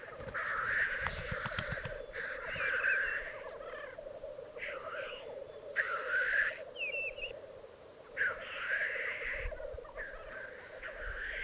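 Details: Displaying black grouse at an Alpine lek in Piedmont, Italy. A constant murmuring, bubbling drone carries about six loud, rasping hissed sneezes, with a brief whistled note between them.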